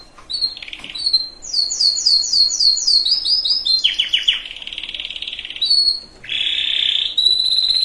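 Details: Canary singing to prepare females and males for breeding, a varied sequence of high whistled notes, quick repeated downslurred trills, a buzzy burst and a steady high tone near the end.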